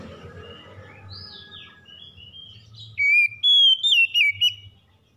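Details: Magpie-robin morning song: soft, distant whistles at first, then a loud phrase of five or six pure, wavering whistled notes near the end.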